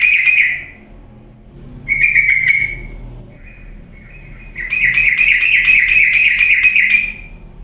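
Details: Sooty-headed bulbul on a lure recording to prompt lazy birds into loud song: short scratchy bursts separated by quiet gaps and faint notes, ending in a sustained rapid series of grating, buzzy pulses.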